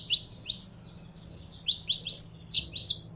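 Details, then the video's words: Captive saffron finch getting fired up to sing: a few isolated high chirps, then a quickening burst of clipped, buzzy notes tumbling over each other, with a soft low hum in the background. "Canário da Terra Esquentando em 3 2 1!!!"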